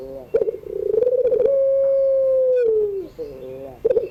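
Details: Long-cooing Barbary dove (puter pelung), recorded in the afternoon as a teaching sound for birds learning to call: a short, pulsing burble builds into a sustained, even-pitched coo that dips and fades, then a brief burble starts again.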